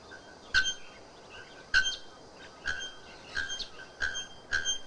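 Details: Bare-throated bellbird (araponga, also called ferreira) singing loudly: ringing, anvil-like metallic strikes repeated about once per second, some doubled, with piercing high overtones and a quiet rural hiss behind.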